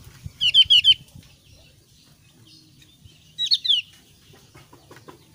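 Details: Thin-browed Javan grey-throated white-eye calling in two short bursts about three seconds apart, each a rapid series of four or five sharp, high, down-slurred chirps, over quiet background hum.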